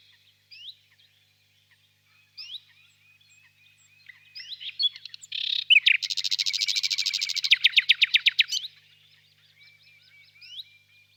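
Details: Nightingale singing softly in the distance on a warm spring evening in a birch grove: scattered short whistled notes, then a loud, dense, rapid buzzy trill for about three seconds, ending in a clicking rattle before thin notes resume.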